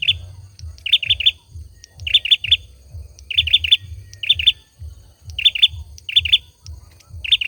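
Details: Loud, clear song of a male olive-backed sunbird: frequent bursts of three quick, high, bright notes with extra thin chips between phrases, over a low rhythmic thumping.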